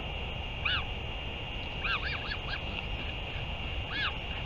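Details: Northern royal albatross recorded 31 May 2023 at a return and feeding: a single arched call, then a quick group of three or four similar curved notes, and one more near the end, over steady hum.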